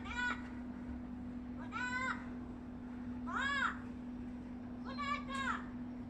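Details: Noisy talking bird producing four separate hoarse, speech-like arched calls spaced about one to two seconds apart, over a steady low hum.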